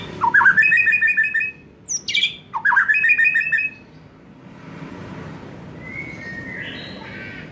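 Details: White-rumped shama song for stimulating young forest birds and newly moulted juveniles to sing: fast stuttering trills, a sharp downslurred note, another trill, then softer drawn whistles over background hiss.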